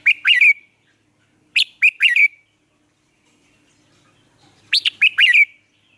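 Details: Lure red-whiskered bulbul in a cage, Vietnam, singing to help trained bulbuls find their voice: three bright whistled bursts of quick sharp notes, each ending in a slurred whistle, separated by clean silence.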